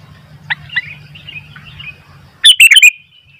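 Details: Sooty-headed bulbul singing keenly until wild bulbuls grow noisy. Faint chirps and warbled notes sit over a low hum, then comes a loud burst of four sharp, chirped notes that rise and fall.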